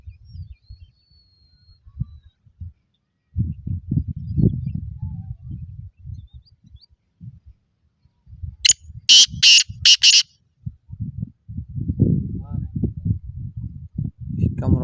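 A black francolin gives a short burst of about four loud, harsh, grating notes in quick succession, set against low rumbling and handling noise.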